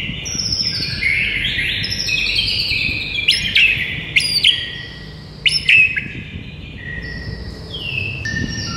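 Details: White-rumped shama morning tutor song meant to rouse a silent bird into singing: layered clear whistles with sharp upward-sweeping notes and bright chips, steady background hiss.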